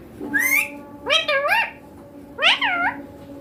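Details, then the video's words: Green Indian ringneck parakeet chick talking clearly in Hindi, mummy papa. Three nasal, swooping, word-like phrases, each rising then falling, spaced about a second apart over a steady faint hum. "My Indian ringneck green baby parrot talking clear"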